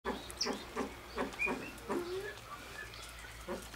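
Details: A displaying Satyr tragopan at a pheasant nursery gives a run of low, hoarse, clucking notes, roughly two per second, while thin high whistles from other birds sound in the background.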